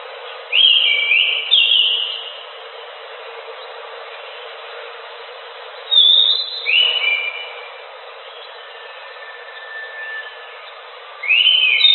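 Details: Orange-headed thrush, known locally as anis macan, singing vigorously: loud whistled phrases of slurred, falling notes, each about a second long, sometimes with a high sharp note, spaced by pauses of several seconds against a faint hiss.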